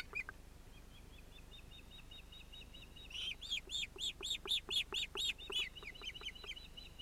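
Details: Osprey family at the nest, 31 July 2018, chick interrupting the parents. Faint thin whistles repeat evenly, then about ten loud arched shrill calls follow in a steady rhythm before fading back to soft whistling.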